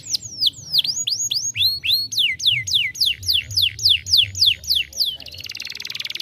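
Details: Young canary song used for stimulation: series of clear descending whistled sweeps, some V-shaped, repeated about three to four per second, ending in a dense buzzy trill, low hum beneath.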